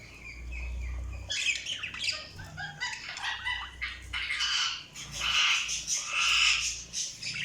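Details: Budgerigars chirping: a busy mix of scratchy chirps and warbles from several birds, with wing flutters and a low rumble in the background.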